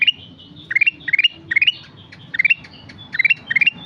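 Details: Sooty-headed bulbul singing busily, rising stepped note clusters repeated roughly every third of a second with thin high whistles overlapping and light background noise.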